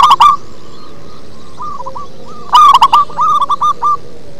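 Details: Local zebra dove singing with a low, bass quality: a loud opening coo, then a phrase of rapid staccato coos trailing into softer evenly spaced notes.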